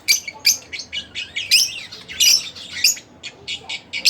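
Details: Split blue Fischer's lovebird kept as a pet, chirping: sharp high squawky notes in irregular bursts, several loud harsh chips spaced about half a second apart, with fainter twittering between.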